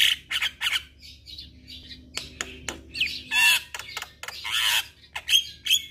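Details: Javan myna singing, used to encourage silent, stressed mynas, repeated each morning and evening. Loud grating squawks and rasping bursts alternate with brief clicks and short gaps of quiet.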